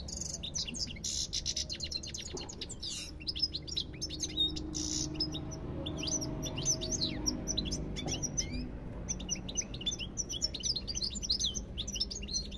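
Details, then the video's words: A European goldfinch sings a long, unbroken stream of sharp high twittering notes, opening with a harsh buzzy rattle, continuing steadily for over twelve seconds against a low background hum. "ربع ساعة من تغريد طائر الحسون"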